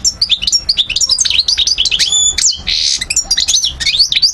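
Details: Near Algiers, Algeria, 2012, a goldfinch of the parva race delivers rapid liquid twitters and swooping chips, then a harsh buzzy burst midway before the bright tinkling phrases resume.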